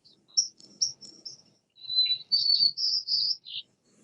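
White-crowned sparrow song: thin, high whistled opening notes, then a run of buzzy, slurred notes dropping at the end, over a faint low room hum.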